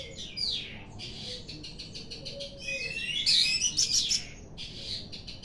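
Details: Orange-headed thrush, said to sing more eagerly each day, giving a busy run of sharp high chirps and buzzy trills with brief gaps, loudest and densest near the middle.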